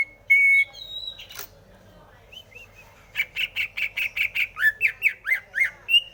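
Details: Greater green leafbird song: a steady whistle and a sharp click early on, then after a pause a rapid train of buzzy, regularly repeated chirps with some sweeping whistles mixed in.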